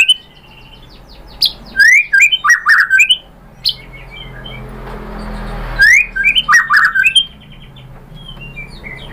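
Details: Shama (white-rumped) song used to goad a rival into singing: two bursts of loud mixed whistles, buzzes and clicks separated by a quiet gap with faint background hiss.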